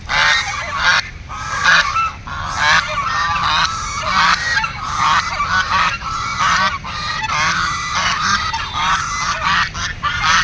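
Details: Ducks calling as a flock: dense, overlapping nasal honking quacks in loud bursts, almost continuous, with brief gaps between surges of calling.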